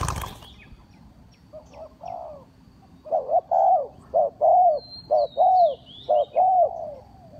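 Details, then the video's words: Spotted dove used as a lure call for trapping: after a quiet start, loud hoarse coos come in a quick run of paired, arched notes about one per second. Thin high whistles from another bird sound faintly above. "Tiếng chim cu gáy mồi chuẩn gáy gọi cực hay"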